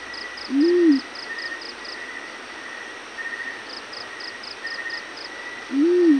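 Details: Yellow-breasted fruit dove calling in the morning: two soft, low hoots that rise then fall, about five seconds apart, over pulsed insect chirping and a steady high whine.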